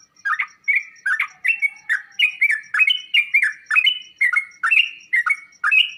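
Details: Sooty-headed bulbul song meant to make other kept bulbuls reply and sing at once. Lively gurgling notes, each dipping then rising, come roughly twice a second, with a thin high pulsing tone in the background.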